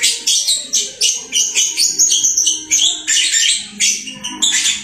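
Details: Home-kept lovebird in energetic song: rapid, evenly pulsed harsh chirps, about three per second, forming a steady buzzy high twitter throughout.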